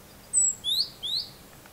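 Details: Three thin, very high robin notes, each a short glide, spaced by brief gaps in a quiet setting.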